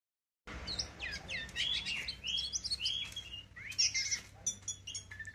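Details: Oriental magpie-robin kept by an owner, persistently seeking a rival and even challenging its owner; rich varied song of rapid whistled phrases, upslurs and sharp chirps, high-pitched and continuous, with faint low background rumble.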